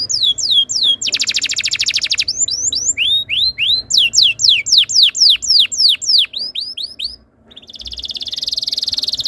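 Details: Canary tutor song to make other canaries join in: a dense buzzy roll, then a long series of clear downward-sweeping whistles repeated about three per second, ending in a rising buzzy trill.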